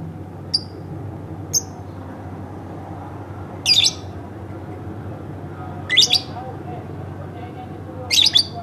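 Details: Domestic lovebird kept at home calling: two thin high chips, then three louder rasping, stuttered squawk bursts at irregular intervals, with a low steady hum underneath.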